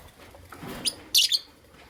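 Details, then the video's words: Creamino and Lutino Opaline lovebirds in the morning, giving a short high chirp followed by a louder cluster of sharp, bright chirps, with faint background hiss between calls. "Lovebird Chirping Sounds"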